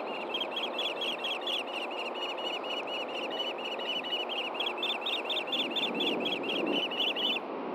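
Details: Osprey at a Montana nest in Hellgate Canyon during a fish handover from male to female, June 6, 2014, morning; an unbroken chain of shrill, whistled chirps, about two per second, runs throughout against a steady rushing hum.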